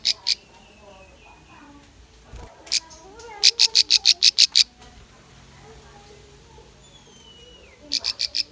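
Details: Bar-winged prinia lure song for training young birds: a few isolated high chips, then a quick burst of about ten sharp chips, a silent stretch with a soft falling whistle, and a final short chip run.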